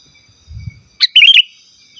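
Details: Sooty-headed bulbul call to attract wild birds and train kept ones: one quick phrase of a sharp upward note followed by rapid bubbly warbling, with a brief low thump before and faint high insect hum.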